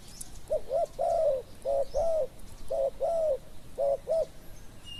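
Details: Spotted dove, a decoy bird used to lure wild doves in Thailand, giving low hollow coos in paired notes, each phrase of two short coos and one longer drawn coo, repeated steadily with faint high chirps from other birds.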